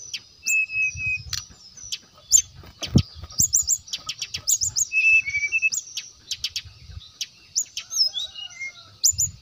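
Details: Brown-chested jungle flycatcher in loud lure-style song, used to call and provoke rival birds: bursts of high sharp chirps and short whistled notes, a few level whistles near the middle, with low thumping knocks underneath.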